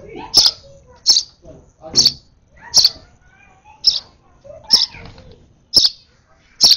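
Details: Overeager sparrow chick at its last feed repeats about eight piercing high chirps at an uneven pace, with soft low voices and feeding noises underneath.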